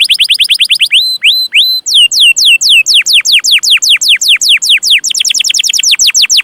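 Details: Domestic canary, recorded for tutoring young canaries, sings rapid chirps, three slow level whistles, then repeated falling slurs that quicken into a dense chirping series.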